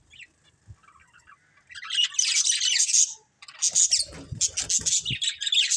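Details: A family of colourful budgerigars kept as pets: soft scattered chirps at first, then loud continuous high buzzy warbling chatter with sharp squeaks, and a few low thumps underneath.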